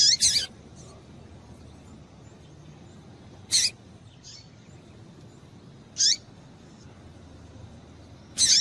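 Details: Female double-collared seedeater call, used to stir up males: single piercing high notes with a falling lower part, spaced roughly every two to three seconds in an uneven rhythm over quiet background hiss.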